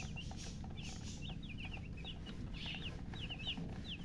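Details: Just-born chicken chicks chirping loudly, a busy run of sharp, high, downward-sliding peeps, several birds overlapping in quick succession over a steady low background hum.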